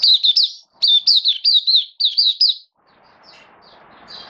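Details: Oriental white-eye kept in a cage, singing in buka sing mode on 27 October 2022: a quick burst of high, looping slurred notes in tight groups, then fading to soft murmuring background noise.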